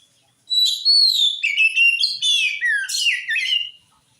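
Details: One continuous three-second phrase of Oriental magpie-robin song, played to draw answers from other birds: clear rising and falling whistles mixed with scratchy, buzzy notes, ending in a descending slur.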